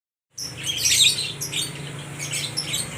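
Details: Lovebirds for sale at a bird market in Aceh Tamiang, Indonesia, calling back and forth: dense, shrill, high chirps and twitters piling up after a brief silent start, with a steady low hum underneath.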